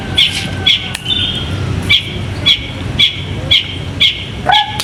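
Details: Caged bird raised for singing contests gives short bright chirps repeated roughly twice a second over a constant low rumble of background noise, with a brief sliding whistle near the end.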